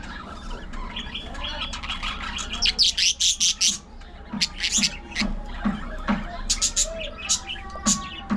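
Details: Budgerigars kept as pets chirp and gossip amid play, squabbles and grooming: a run of loud, clipped squawks, then scattered twittering notes and warbles, with soft low knocks underneath.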